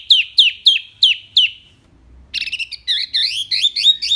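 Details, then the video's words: Clear wambi song with rapid-fire phrases for training kept songbirds: five loud, sharp, downslurred whistles about every third of a second, a short pause, then a quick jumble of warbled, twisting notes. "SUARA JERNIH TEMBAKAN WAMBI MINI"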